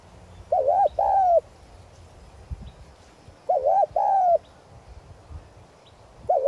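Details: Decoy spotted dove giving its calling coo in the prized 'giọng son' voice style, used to lure and stir wild doves; low hollow two-note coos, the pair repeated twice about three seconds apart, over a quiet background.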